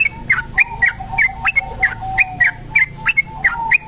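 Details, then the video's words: Continuous ropel singing of a kebo-type Sooty-headed bulbul, used to lure birds: evenly spaced sharp whistled notes, several per second, each slurring downward, with a constant faint lower tone behind. "trucuk kebo ropel panjang"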